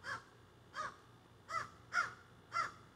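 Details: Crows in trees behind a garden, squawking and carrying on: five short, nasal, slightly downward-bending caws, evenly spaced about 0.6 seconds apart.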